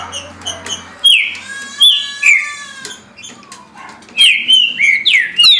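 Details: Green-winged saltator song at a rate of 17 songs a minute, with loud sliding whistles broken by a long, buzzy, layered note, then a fresh burst of sharp downward-curving whistles at the end.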